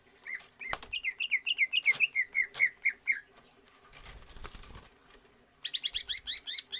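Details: Greater green leafbird, trained for stamina without free-flight exercise to build longer breath. It sings a rapid chain of looping whistled notes for about two seconds, a rustling break follows, then a fresh burst of higher, sharper notes.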